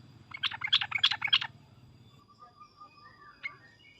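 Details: Sooty-headed bulbul's harsh, loud chatter in a quick burst of about six notes over a second, then faint whistles and a steady low hum.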